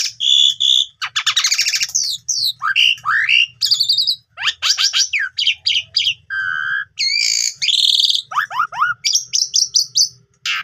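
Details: Lure recording of Asian pied starling song to get young birds singing their full repertoire: steady whistles, a dense burst of chatter, downward-sweeping notes, a low held whistle midway, then quick falling notes and high buzzy phrases.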